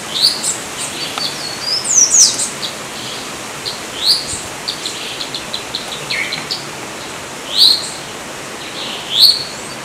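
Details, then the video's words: Yellow-olive flycatcher, locally called bico chato de orelha preta, giving sharp, high, upslurred calls spaced a few seconds apart, with faint chirps of other birds in the background. "bico chato de orelha preta (Tolmomyias sulphurescens)"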